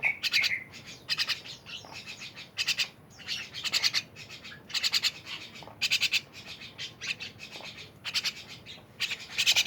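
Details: Myna with irregular harsh, buzzy pulse bursts and a short squeaky note at the start, spaced by uneven pauses.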